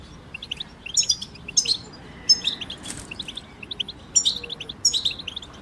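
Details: Several European goldfinches chirping as a group song to get a goldfinch singing during moult: short bright twitter phrases spaced by pauses, with sharp high notes and one brief rustling burst near the middle.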